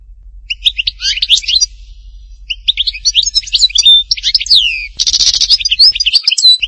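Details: Tipaza goldfinch delivering Htatba-style song: quick jingling twitter phrases with pauses, several sliding whistles, then a harsh buzzy rasp followed by more bright chirps.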